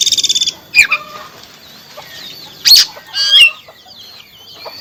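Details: Oriental magpie-robin song meant to restart a caged bird that stopped singing: a buzzy rattling burst opens, followed by sharp whistled notes and softer warbled phrases.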